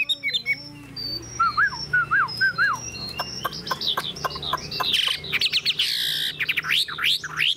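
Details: Caged Chinese hwamei, a wild-caught bird shown for its tail-fanning and eagle-wing display. The song is varied: high thin whistles, wavy mid-pitched warbles, then sharp clicking notes and bright looping phrases that grow louder toward the end.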